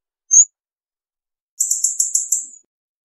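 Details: A hawfinch gives one short high whistle, then a rapid stuttering series of about six high buzzy pulses lasting a second.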